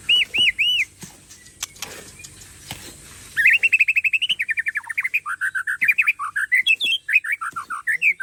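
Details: White-rumped shama of the Aceh Tangse type, a caged bird, sings: three looping whistled notes, a pause with clicks, then a long fast string of varied slurred whistles stepping up and down.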